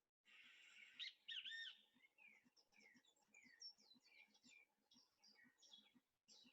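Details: Great Kiskadee calling in a built-up part of San Jose, Costa Rica, the call that gives the bird its name. A loud, harsh two-part burst comes early, followed by a busy jumble of thin chirps from other birds and a low, steady background pulse.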